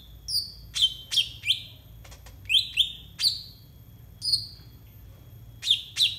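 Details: Brown-throated sunbird (konin) song used as a master recording to tutor untrained captive birds: sharp, high chipping notes that drop in pitch, in irregular bursts of two or three, with a faint low hum beneath.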